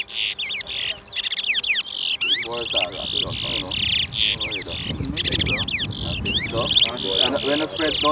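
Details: Competing towa towa at a Georgetown, Guyana bird race on Lamaha Street in 2023: continuous stream of sharp, high buzzy notes and twisting whistles, with a steady murmur of spectators' talk throughout.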